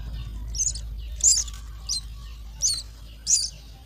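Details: Nestling common mynas calling as they are fed, sharp high squeaks spaced irregularly about every half second to second, with a steady low hum behind.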